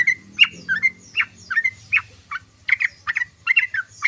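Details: Sooty-headed bulbul chattering in ngoceh, ngeriwik style. Rhythmic short chirps, each a sharp downstroke with a quick whistled tail, come about twice a second, with a faint low hum in the background.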